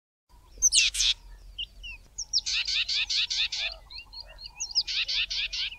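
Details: A Grey Tit in the southern Karoo, South Africa, sings bright, high whistled notes, then fast runs of five or six rasping, chattering phrases, repeated twice over a quiet background.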